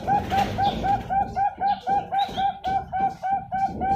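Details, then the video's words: Farm-bred Bangkok-type zebra dove hatched March 2022, from a bird farm in Pasuruan, East Java, Indonesia, singing a song style with many middle notes and a long ending: rapid, evenly repeated low cooing notes, about three to four per second. "SUARA PERKUTUT BANGKOK TENGAH BANYAK UJUNG PANJANG"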